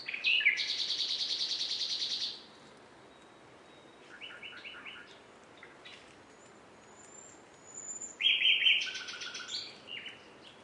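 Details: Nightingale song with a loud buzzy churring burst, a pause, then short stuttering note groups and a louder varied phrase of clicks and whistles after a quiet gap.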